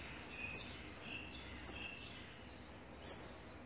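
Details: Olive-backed sunbird during nest feeding on day sixteen, October 2019; clear, very high, abrupt chirps, three in under four seconds, roughly evenly spaced, with faint softer notes between.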